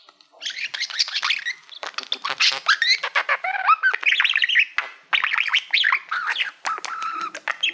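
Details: Singing budgie, a male kept as a pet, courting his reflection in a play button: steady chattering warble of squeaks, rising whistles and scratchy notes, pulsing in short phrases.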